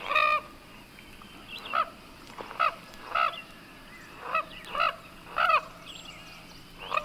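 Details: Common Gallinule uttering single harsh, nasal, squawking notes spaced about a second apart, some doubled, against quiet background hiss.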